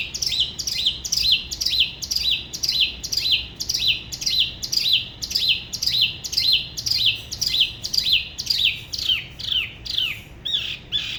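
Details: Solo song of a spot-throated babbler from Da Lat, La Ba river: a long fast run of identical downslurred whistled notes, nearly two per second, steady and bright.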